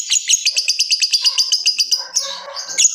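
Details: Lovebird delivering a rapid ngekek trill of sharp, high, evenly repeated pulses for two seconds, then a rougher, noisier burst with some lower tones before one more squeaky note.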